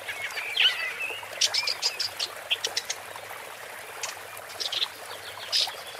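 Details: Woodchat shrike (Lanius senator) opening with a buzzy rising whistle, then a series of sharp high chips and scratchy notes in uneven bursts, ending with a harsh burst.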